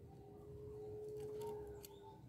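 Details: Local zebra dove, perkutut, singing softly: one long low steady cooing tone held for about two seconds over a noisy background hum, with faint higher notes.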